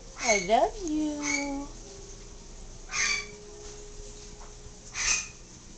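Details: Yellow-naped amazon, newly adopted, chatting a little indoors: a wobbling harmonic phrase that zigzags up and down, then settles into a long flat tone, followed by two soft breathy bursts.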